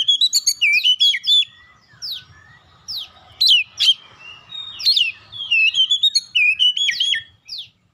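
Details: Magpie-robin singing as a lure to get other magpie-robins to answer: a dense, energetic string of clear whistles, slurred sweeps and chirps in quick bursts, continuing for several seconds before fading at the end.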